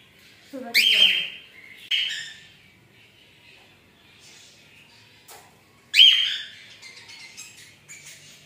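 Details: Cockatiel sounds: sharp whistled notes with harsh, squawky edges come in two bursts a few seconds apart, with quieter chatter and a soft scraping sound in between.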